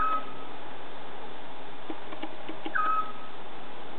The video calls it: scops owl calling